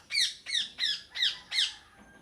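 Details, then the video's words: Parrot giving five harsh, squawking calls about a third of a second apart, high and grating with descending strokes; nothing else stands out. "Parrot sound effects| [ parrot talking to each other] parrot singing sounds."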